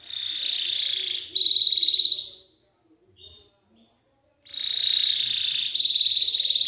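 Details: Belgian canary delivering long, steady high trills, played to encourage young canaries to sing, with a pause holding faint short notes before the rolling trill resumes.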